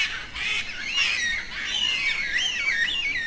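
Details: Yellow-tailed black cockatoo, a large cockatoo native to south-eastern Australia that travels in small groups and calls to keep in contact; a continuous series of wavering, rising and falling high squeals with a harsh, grating edge.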